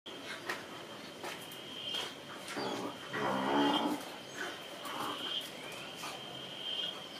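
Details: White-bellied chachalaca, recorded in April 2022, giving harsh, hoarse, low calls in short bursts, with one longer rasping call mid-clip, over a steady high-pitched insect drone.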